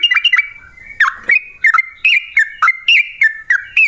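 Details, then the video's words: Yellow-vented bulbul, recorded as a lure to prompt other bulbuls to sing, giving clipped bubbly whistles that swoop downward. The phrases come in uneven bursts with short pauses between them. "Masteran Kicau Burung Trucukan Gacor Dor Pancingan Pikat"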